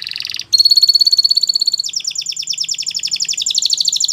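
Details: Belgian canary singing as a tutor for young canaries: a brief high note, then a long rapid trill of bright repeated notes that shifts into a rolling series of quick descending whistles.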